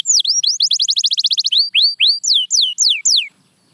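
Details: Song of a canary, played to get quiet canaries singing: dipping whistles, a rapid even trill, then slower, loud swooping slides before stopping abruptly.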